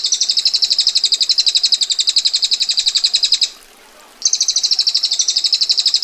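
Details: A female bar-winged prinia gives a long, rough, tightly packed rattle in the 'ngetir' style, a rapid run of high dry pulses. It breaks off briefly, then restarts just as fast.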